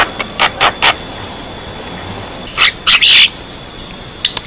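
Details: Song of an Asian pied starling, used as a lure so kept starlings join in and as training material: three rasping bursts, a pause of about a second and a half, then louder harsh screechy notes.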